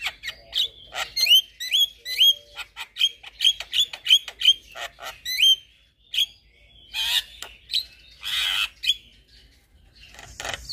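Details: Javan myna, white-eyed form, singing loudly in a recording made to teach young birds: a run of bright whistled notes with buzzy hooked ends, repeated about twice a second, then broken off by harsh rasping bursts.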